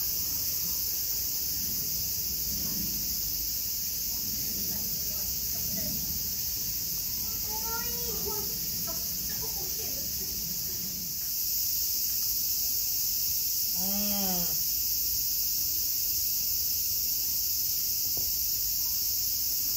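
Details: A Humboldt penguin in a group relaxing at Zoorasia zoo, Yokohama, Japan, on 24 August 2022 gives brief, harsh harmonic calls over a steady high insect drone.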